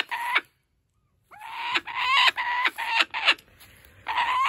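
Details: Sanctuary kookaburra keeping a stolen stuffed toy and laughing: short bursts of harsh, rasping cackles broken by a pause, with rising squeaky notes between the bursts and a woman's voice nearby.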